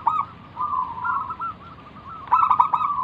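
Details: Zebra dove from the wild, singing to coax other doves to answer: soft wavering coos followed by a clipped, rapidly repeated cooing burst.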